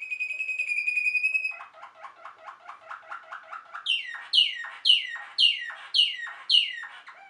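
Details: Song of a Waterslager or Malinois canary: a pure long whistled note, then a rapid run of soft bubbling repeated notes, ending in a string of loud descending whistled sweeps about every half second.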